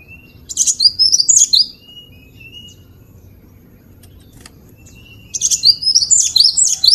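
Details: Gelatik batu, the cinereous tit, in a vocal master recording. Rich, jumbled bursts of high twittering and swooping notes come with thinner, lower, drawn-out whistles between them, over a soft background rumble.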